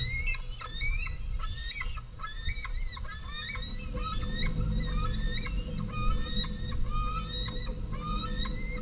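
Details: Two large fledged white-tailed eagle young screaming for food at the home nest as a female lands with modest prey, 11 August 2014; rapid, overlapping series of harsh, harmonic screeching notes with abrupt upward pitch jumps, amid wingbeats and low rumbling background.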